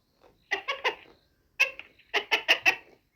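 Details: Hen uttering short clusters of two or three quick, bright clucks with gaps of silence between the groups.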